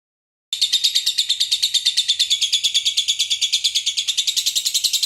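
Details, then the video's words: Lovebird singing in the konslet style with isian walang, a grasshopper-like fill: after a brief silence, a continuous, rapid, high-pitched buzzy chatter of evenly pulsed notes, roughly seven per second, carrying steadily to the end. "Love bird konslet isian walang"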